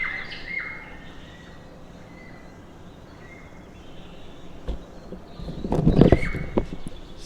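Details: Wild New Zealand kaka, a big parrot, in Wellington gives a few clear, fluting whistles at irregular intervals over a quiet outdoor background, with a brief burst of rustling noise near the end.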